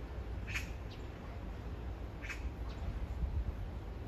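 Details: Two separate harsh, abrupt notes about two seconds apart from a magpie calling to its beloved a few meters away, with a faint softer note after each, over low rumbling noise.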